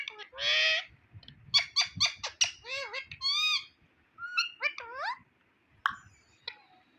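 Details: Talking Indian ringneck parrot: a harsh buzzy note, then a quick string of speech-like syllables and rising, wavering tones, ending in sharp squeaks.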